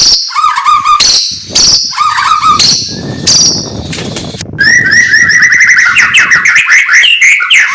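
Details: White-rumped shama in morning song: harsh, lower warbled bursts at first, then a sustained rapid trill of bright, bubbling whistled notes running to the end.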